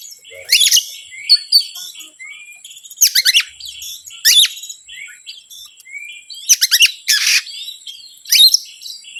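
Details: Oriental magpie-robin song used to provoke hesitant birds, with rapid stacked whistled notes, smooth rising whistles and loud scratchy bursts at irregular intervals.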